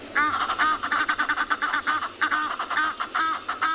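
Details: Egyptian geese in a South African game reserve on a June morning give a rapid, harsh honking cackle in bursts; just calling, not alarm calling, the loud calls mostly from females, males only hissing.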